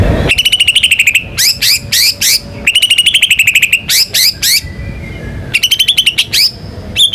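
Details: White-rumped shama, a national contest champion, singing a rolling song with mimicked material: fast trills of repeated whistled notes alternate with bursts of three loud buzzy strokes, the pattern repeating three times.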